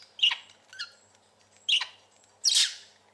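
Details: Short harsh chirps and scratchy squawky notes from a pet parakeet chatting indoors, four bursts spaced unevenly over three seconds, the last one the loudest and noisiest.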